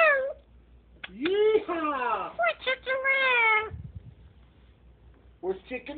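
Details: Pet Moluccan cockatoo talking to a person about her day chatters in drawn-out, speech-like phrases that swoop up and down in pitch, pauses, then adds a short burst of babble at the end.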